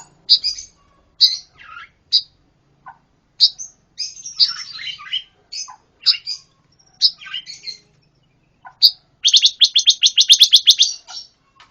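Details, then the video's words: Highly active pancawarna in full, noisy song for songbird tutoring: scattered sharp chirps and twittering phrases, then a long fast rattling trill of rapidly repeated high notes near the end. "Masteran burung pancawarna// gacor super brisik"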